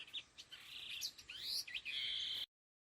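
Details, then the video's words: Khứu lùn laughingthrush calling in the 'đôi hung gọi đằng' style. A dense run of whistled notes and rising slurs ends in a held high whistle, then abrupt silence. "Âm Thanh Chim Khứu Lùn Đôi Hung Gọi Đằng"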